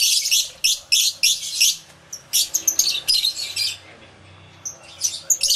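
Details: Numerous lovebirds calling in an aviary, recorded live with two external microphones: loud bursts of grating, high-pitched chatter broken by brief quieter gaps.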